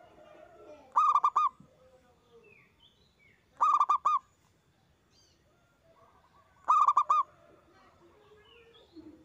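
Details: Loud zebra dove song used as a master and lure recording to stimulate other doves to sing: three short clusters of rapid, throaty coos, roughly every two and a half seconds, over soft background birdsong.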